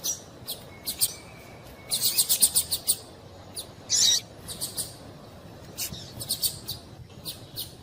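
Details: Female double-collared seedeater calls played to excite a male into singing; a rapid string of high chips, a single loud warbled note, then scattered ticks and small clusters.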